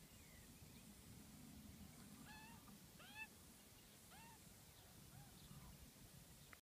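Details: Australian magpies, one adult and two juveniles: the young beg while the adult calls. Clear arched, harmonic notes rise then drop, given singly or in short pairs every second or so, over low background rumble.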